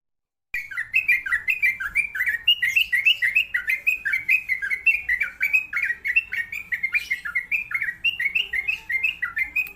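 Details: Sooty-headed bulbul, a champion singer, delivering a long, steady run of short bubbly notes that dip and rise, repeated about three times a second, with a faint hiss behind.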